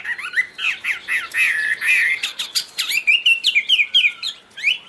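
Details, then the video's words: Chinese hwamei song mixing harsh, rasping notes with whistled slurs and abrupt clicks, loud and hurried, in varied disjointed phrases. "Birds Garrulax canorus high vocals and pure"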